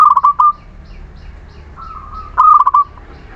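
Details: Local Muria zebra dove used as a lure to make reluctant birds sing: a phrase of rapid clipped notes opens the recording, a quiet drawn tone follows, then another stuttering phrase ends in a level hum.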